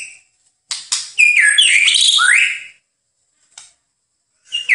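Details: White-rumped shama song from a master recording for training birds: a few sharp opening chirps, then a flowing phrase of slurred, rising and falling whistles, followed by scattered short notes.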